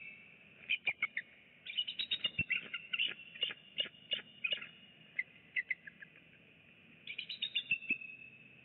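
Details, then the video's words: On a November 2017 morning, a nesting eagle pair calls from a live camera site. Rapid strings of shrill, piping chirps rise and fall in several bursts over faint constant hiss, with short quiet gaps between the runs. "Eagles ~ Morning Vocals"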